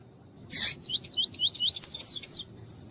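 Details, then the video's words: Tournament-bred male double-collared seedeater, tuí-tuí song type, warmed up beside a calling female: a sharp broadband click, then a rapid string of roughly eight swooping whistled notes that rise toward the end. "ESQUENTAR COLEIRO TUÍ-TUÍ COM COLEIRO TUÍ-TUÍ E FÊMEA CHAMANDO"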